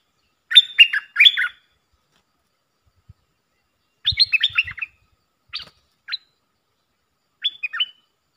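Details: Puff-throated bulbul decoy call used to teach young birds: short chattering bursts of bright up-and-down notes separated by long silences, the first loud and later ones softer and more scattered, with a few faint low thumps.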